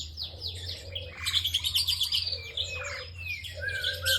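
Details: Bar-winged prinia singing vigorously, a long performance. Dense run of quick high chirps and short buzzy trills, with repeated lower slurred notes every second or so over a steady low hum.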